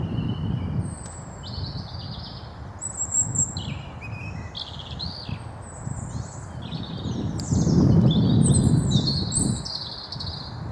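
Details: In the Wyre Forest, England, a Eurasian blue tit gives high, thin chirps and short buzzy trills in quick, scattered bursts of song and calls, over a steady low rumble of wind.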